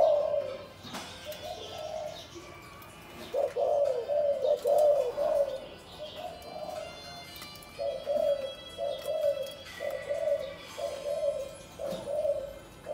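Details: Caged spotted doves of the 'vân rồng' variety in Cần Thơ, hung side by side to get acquainted before pairing for breeding: low, pulsed cooing phrases repeated every second or two, with clicks and faint background noise.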